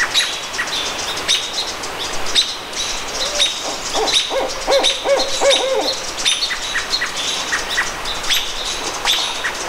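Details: Squamish River Estuary, May 17, 2014: a barred owl delivers a cluster of low, rhythmic hoots midway through, partly masked by dense, sharp, high chirps from another bird calling over and over.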